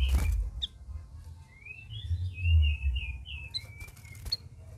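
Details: Red-whiskered bulbul in its first week of care, part of a group of birds: a smooth warbled phrase of linked whistled notes, wavering up and down for about three seconds, over low background rumble and a few clicks.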